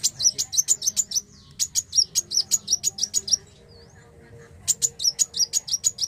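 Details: Black sunbird singing long fast volleys of piercing high chipping notes, several per second, with a short quiet break containing a faint rising whistle.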